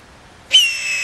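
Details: Blue jay coming to peanuts put out, chattering from the trees: one loud, sudden, harsh call with a bright tonal core that holds steady and fades out.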